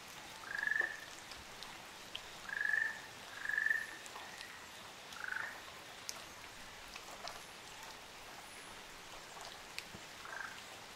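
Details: Rolling trills from a Ryukyu ruddy kingfisher pair on Amami Oshima, Japan. Three clear ones come in the first four seconds, followed by a lower slurred trill and a faint distant one. Scattered drips fill the pauses.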